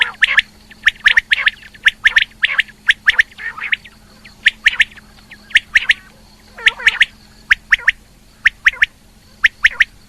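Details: Female rain quail calls: crisp, piercing chirps repeated roughly every half second over ten seconds, mostly single or paired, with one lower squawking note midway and a constant background hum.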